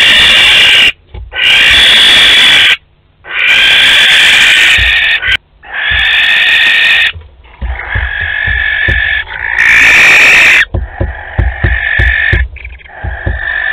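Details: Barn owls, a pair visiting their nest box at Théding in May 2020, produce a run of harsh hissing screeches of varying length, with soft knocks and scraping heard in the later part.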